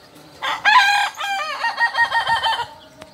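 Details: Crowing of a Kukuak Balenggek rooster native to Solok, West Sumatra: a loud rising opening note, then a tumbling string of about eight quick stepped syllables, each with bright stacked overtones, all within roughly two seconds.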